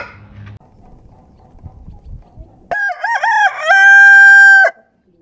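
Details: Rooster crowing after a stretch of faint low rumbling: a loud harmonic cock-a-doodle-doo with a wavering opening section, then a long, steady, held final note lasting about a second before cutting off into silence.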